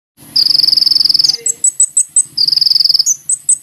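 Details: Van Hasselt's Sunbird song, used as a lure to draw a response: fast, high, even trills of sharp ticking notes, each about one second long, broken by short chips, over a faint low hum.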